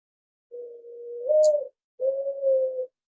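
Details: Doves at a nest right by the room, a pair with two babies, coo in two soft, steady, hollow notes, the first long and rising slightly near its end, the second shorter; quiet room, 10 April 2020.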